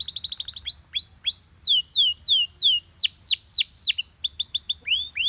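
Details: Yellow Belgian canary singing: a rapid rattling trill opens, then a series of loud, clear whistled notes, each sweeping steeply downward, about three per second, before fast chattering trills return; faint low hum beneath.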